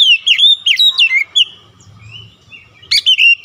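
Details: Oriental magpie-robin insistently singing its learned fill-in material: quick loud whistled notes dipping and rising, a brief quieter gap with low background hum, then a fresh burst of sharp chirps.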